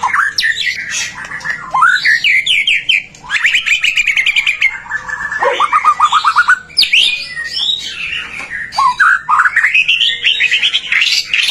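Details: Energetic song of a white-rumped shama, played to prompt other shamas to sing: loud, varied phrases of sweeping whistles and rapid buzzy trills, broken by brief pauses, continuing for over ten seconds.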